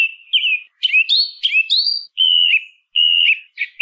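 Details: Song thrush singing: clear whistled phrases, some with a quick upward flick. Short pauses separate the notes, and a shrill high note comes near the start. No other sounds.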